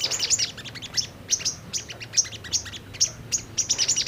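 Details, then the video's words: Brown-throated sunbird lure recording, used to provoke birds into singing and responding: rapid, very high, thin chirps and ticks in dense bursts, repeated throughout with short pauses, little background noise. "Pancingan SOGON agar cepat Bunyi dan Emosi"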